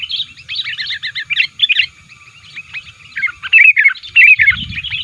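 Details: Chattering sooty-headed bulbul calls meant to lure wild birds and press rivals: quick strings of liquid, warbling chirps, dense at first, then sparser, with a faint low rumble near the end.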